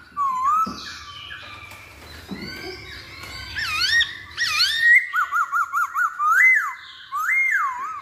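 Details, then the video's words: Masked laughingthrush song used as a lure to make birds sing: varied whistled phrases building into a quick series of short wavering notes, then two loud rising-falling whistles. "Pancingan Poksay Hongkong Paling Ampuh"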